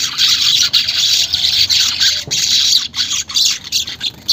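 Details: Unedited weaver chatter meant to prompt caged weavers into song: harsh, squawking, high-pitched buzzing in dense bursts separated by short breaks.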